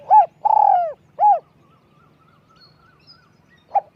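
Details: Spotted dove, small high-voiced, used to lure: a phrase of arched coo, long vibrating coo and rounded final coo. Faint distant whistles follow, and another phrase begins at the end.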